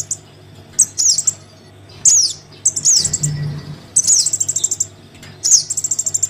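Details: High-pitched calls of a young crimson sunbird summoning its parent, used as a lure: quick, thin trilled runs and descending squeaks in spaced bursts, with a faint continuous low hum.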